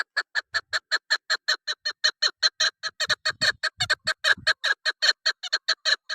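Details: Female chukar partridge calling to draw birds for hunters: a steady, quick run of rough, clucking chuk notes, around two and a half per second, throughout, with soft low rumbles mid-way.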